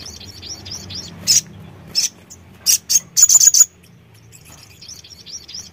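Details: Sogon song opening with soft high twittering, then loud piercing chirps and a fast stuttering trill near the middle before fading back to faint twitters.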